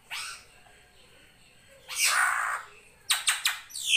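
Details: Master-song recording of a srigunting krantil drongo for training cage birds: a short rasp, a long noisy hissing screech, then rapid sharp clicks.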